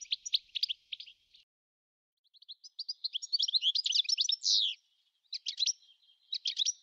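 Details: European goldfinch: rapid, high twittering bursts of tinkling, buzzy notes, a pause, then a denser run of liquid chirps with a drawn-out nasal note, followed by further twittered phrases.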